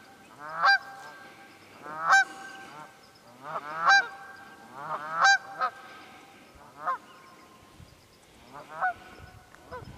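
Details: Wild geese at the Quehanna Wild Area in Pennsylvania, 27 February 2018, trading loud nasal honks, often in doubled or tripled bursts, over a fairly quiet background.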